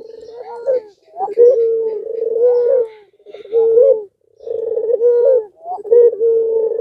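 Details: Puter pelung (Barbary dove) sounding off to provoke other doves. Repeated rolling coos with small rising flicks at phrase ends, separated by short pauses.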